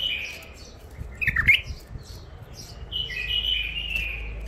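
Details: Wild-caught bulbul from the Mandali crossing in first isolation sings a whistled phrase, a quick chattering twist of notes, then a longer smooth warbled whistle, over faint low rumbling background noise.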